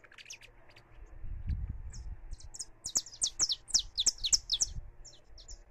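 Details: Free saffron finch in song, recorded live: scattered high notes at first with a low rumble underneath, then a fast, loud run of sharp, descending chirps.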